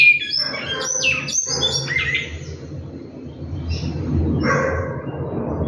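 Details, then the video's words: Large-billed seed finch in captivity singing: a quick run of clear whistled notes, several sliding downward, then a pause and a softer buzzy phrase over low background hum. "bicudo cantando"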